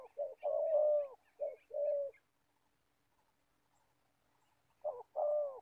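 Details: Spotted dove decoy bird from Gia Lai, Vietnam, used to catch wild doves, giving two pairs of low throaty coos, then a silent gap before another short-long coo pair, faint twittering over the first notes.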